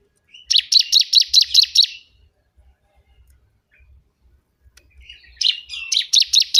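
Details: Bar-winged prinia (ciblek kebun), a loud, noisy song for training or luring birds: a fast run of about seven sharp buzzy chirps, a pause with faint ticks, then another burst of rapid chirps.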